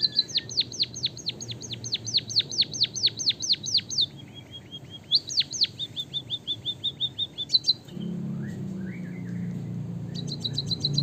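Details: Javanese white-headed munia with a long canary-style roll, for tutoring other birds: long runs of loud, steeply falling whistles repeated about twice a second, then softer twitters over a low background hum.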